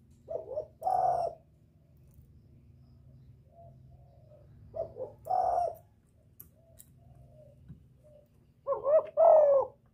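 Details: Lure calling of a spotted dove meant to attract a male and excite wild birds: three spaced phrases of short stuttering coos ending in a louder drawn note, over a low steady hum.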